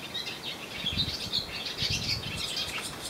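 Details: Singing swallows sit on a wire on the Croatian island of Susak, giving high twittering chirps and short warbled notes, with low rumbling thumps of wind or handling noise underneath.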